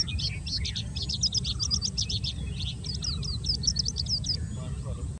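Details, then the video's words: An Oriental skylark on Socorro Plateau, Goa, pours out a fast, unbroken stream of high, chirping and trilled notes for about four seconds, over a steady low rumble of wind. "Oriental Skylark singing"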